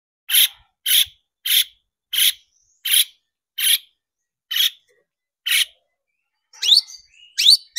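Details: Long-tailed shrike song used as a lure to excite other shrikes into singing: harsh, rasping broadband notes repeated about every 0.6 seconds, then a few quick rising whistled squeaks at the end.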